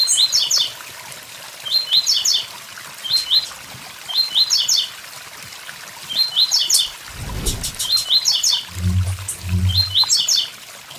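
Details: Blue-black grassquit song by a waterfall, short high buzzy three-to-four-note bursts repeated about every one and a half seconds, with low thumps and a knock midway against constant water noise.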